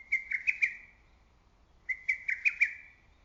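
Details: Two loud, clear lesser cuckoo phrases in early-summer woodland, each a rapid run of about five sharp, whistled notes lasting under a second, separated by a silent gap. The call rings out over the woods and valleys.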